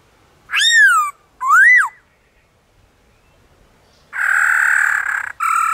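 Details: In wild forest, a black-throated laughingthrush gives two clear arched whistles, then after a pause a loud, harsh, buzzy note lasting over a second, followed by another rough note.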